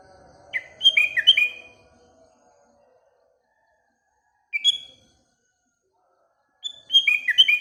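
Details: Sooty-headed bulbul in the morning giving three bursts of song: a bubbly, descending whistled phrase, a single brief note a few seconds later, then another rich cascading phrase. Faint low background noise at first.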